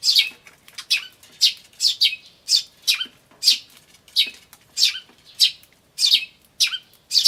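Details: Eurasian tree sparrow chicks begging alongside calling adults, recorded in May 2013; a steady stream of sharp, high, downslurred chirps about twice a second, with quieter notes between.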